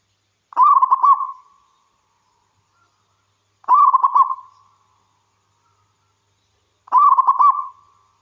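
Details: Local wild-type zebra dove in vigorous song, used to prompt other zebra doves to sing; three cooing phrases about three seconds apart, each a quick stuttering burst of low notes trailing into a steady held hum, with silence between.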